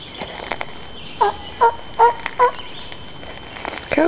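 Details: Male ruffed grouse answering a person's calling at close range, giving four short, evenly spaced two-toned notes near the middle of the clip, then a final pair at the end; quiet speech nearby.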